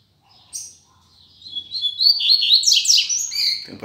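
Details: Rusty-collared seedeater singing firmly as the season begins, offered as a teacher song for young birds to learn: soft opening notes, then a rapid run of bright, high warbled and buzzy phrases growing louder, ending in a sharp noisy burst.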